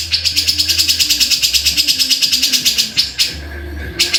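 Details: Grey-cheeked bulbul (cucak jenggot) delivering a fast, even series of sharp, scratchy notes, about three each second, ending in a few separated louder notes over a steady low background hum.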